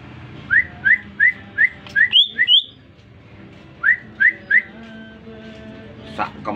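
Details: Greater green leafbird, newly purchased and caged, singing calmly when approached after whistling: a run of crisp upslurred whistles repeated roughly every third of a second, two higher rising notes, then a few more upslurs.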